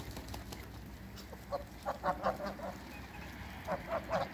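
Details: African and Toulouse domestic geese on a farm greet another animal with a run of nasal honks, short harsh notes bunched in pairs and threes, rising in loudness toward the end over a low background rumble.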